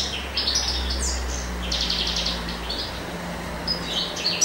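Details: A male European goldfinch sings in spring, apparently courting and seeking a mate: a fast, tinkling twitter of bright, high notes broken by short buzzy phrases, over a steady low hum.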